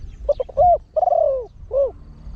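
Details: Spotted dove, a trained bird with a big voice, singing the 'khan yon, one kuk, rapid' cooing style used to draw in wild birds: quick stuttered low notes, then a long sliding coo and a final rounded hoot, with faint low hum behind.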